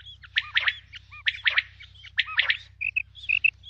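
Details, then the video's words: Female common quail giving rapid triple-note phrases of harsh chirps, roughly once per second, mixed with brief thin whistled notes and a steady low hum underneath. "Female Batair Ki Awaz| Common Quail"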